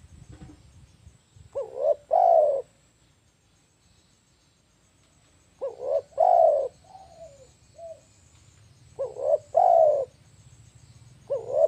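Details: Spotted dove cooing used to attract birds for catching: repeated phrases of two short coos followed by a longer one, about every three and a half seconds, with a faint extra soft note between phrases and low background noise.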